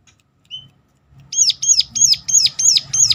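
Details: Sunda warbler (ciblek gunung) in sharp lure-calling to make other birds sing. One thin whistle opens it, then a run of loud, high, peaked chirps at about three a second over a low hum.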